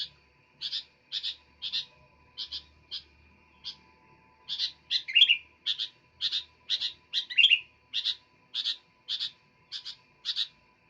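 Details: Sooty-headed bulbul singing vigorously: short bright chirps, often paired, repeated in quick irregular runs with a few slurred downward notes. A steady faint tone hums underneath.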